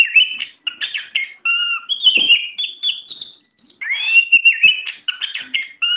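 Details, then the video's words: Tame oriental magpie-robin singing loud whistled phrases, some paired with lower tones, mixed with buzzy chatter, a short silence midway, then renewed rising whistles. "Video Burung Kacer Jinak"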